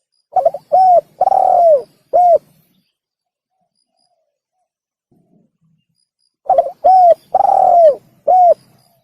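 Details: Spotted dove (tekukur) call played as a bird-hunting lure; two repeated phrases separated by silence, each opening with a stutter, then soft arched coos and one long, falling note ending in a short hoot.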